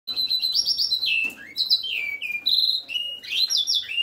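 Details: A Reichenow's seedeater × Eurasian bullfinch hybrid (Serinus reichenowi × Pyrrhula pyrrhula) sings a continuous, varied warble of bright whistled notes, sliding and rolling in a high register with barely a pause.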